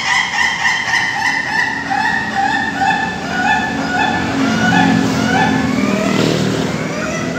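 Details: Laughing chicken (Ayam Ketawa) at a PAKEB Bogor practice meet in a farm pen in Indonesia, giving a long, even run of quick repeated syllables about four per second, with a steady low background hum.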